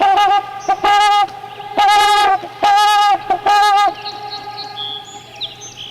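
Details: Trumpeter swan in North America gives about four loud, nasal, horn-like honks, like a trumpet or French horn, with a few shorter notes between them and faint chirping after. Its call carries over long distances.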